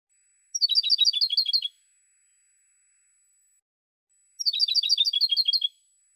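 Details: European goldfinch singing, a 2016 recording: two matching phrases of fast, evenly spaced, bright chirping notes, each about a second long, separated by a gap of more than two seconds of silence.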